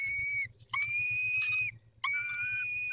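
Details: Peregrine falcons at the nest, male caring for the females, evening of 23 May 2021; three long, strained, whining wail calls with strong overtones, each opening with a short lower note, in quick succession.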